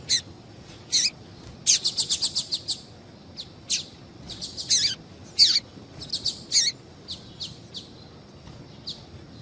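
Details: Calls of a female double-collared seedeater, used to excite males into singing: a busy run of high, scratchy chips, including a fast rattling burst of about seven notes, then scattered single and paired chips throughout.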